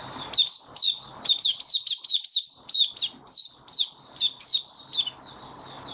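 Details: Pet white-eye in a cage, opening song on 23 March 2022 during warm humid weather: a rapid string of high, sweet chirps and downslurred twitters, about two notes a second, with faint low rustling.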